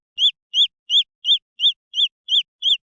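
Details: Green junglefowl chicks giving eight clear, high arched peeps in three seconds, evenly spaced and unaccompanied.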